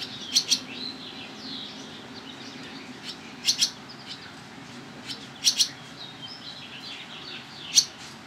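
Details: Barn swallows in Toronto, Ontario, Canada, July 11th, 2010, with parents coming and going quickly to feed their young; short high twittering chirps in pairs, spaced every two seconds or so, over a quiet background.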